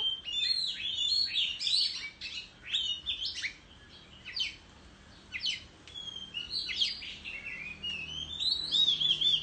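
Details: Oriental magpie-robin in the countryside singing competitively while fanning its tail; clusters of sharp whistles and sliding notes in bursts, a quiet lull midway, then rising whistled phrases resuming loudly.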